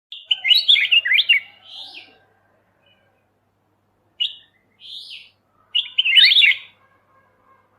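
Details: Bulbul known locally as kutilang emas mata putih, a master recording for training songbirds: bright, warbled whistled phrases of two to four notes, then short separate chirps and a final burst of rapid tumbling notes, with long silent pauses.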